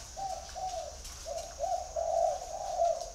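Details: Spotted dove giving a gruff, low cooing call, a few short coos followed by longer, louder, slightly rolling coos run close together, over a quiet hiss.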